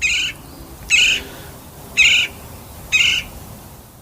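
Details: In Tucson, a woodpecker answering playback of Gila woodpecker calls gives four harsh, raspy squawks about one second apart, each short and high-pitched, over a quiet hiss; probably not a Gila woodpecker.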